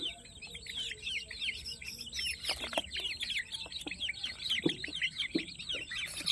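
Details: Peruvidai chickens, chicks on a farm: a dense chorus of many high, rapid peeps overlapping continuously, with occasional soft clatters and bumps underneath.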